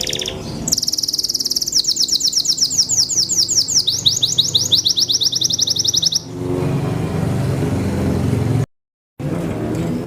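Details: Singing Belgian Bossu canary, a popular contest breed, delivers one long high trill of quick sweeping notes for about six seconds, then stops, leaving low rumbling background noise and a brief dropout.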